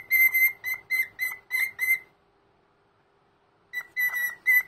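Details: Indoor pet cockatiel, elderly, offering a Sunday morning greeting: six ringing whistled notes in quick succession, nearly two seconds of silence, then a few more clear whistles.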